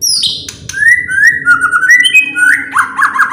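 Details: White-rumped shama song, used to provoke other birds into singing: loud, rich whistles, mostly long level or gently sliding notes, with a few high sharp strokes at the start, given in an unbroken flowing phrase.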